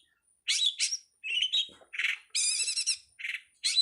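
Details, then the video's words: Long-tailed shrike singing, recorded as training material for songbirds; a mix of sharp high chirps, buzzy notes and a rapid harsh rattle, with faint low background clicks. "suwara masteran burung cowet/codet/pentet"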